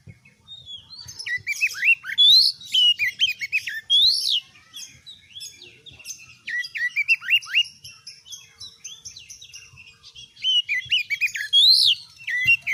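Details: Oriental magpie-robin singing long and varied as a master recording to challenge other birds: dense twittering phrases, sweet arched whistles and quick slurred notes in three loud bursts with quieter chatter between.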